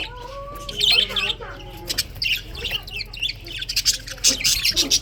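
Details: Morning chirping of budgies, February 2024: a few thin whistled tones open, then dense chattering chirps, clicks and raspy squawks tumble over one another above a constant low background hum.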